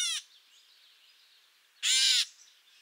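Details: Gray Catbird mew call, a shorter, raspier variant, from a bird of dense thickets and shrubs near riparian areas: two short, harsh, raspy mews about 1.8 seconds apart, the second longer and fuller; nothing else heard.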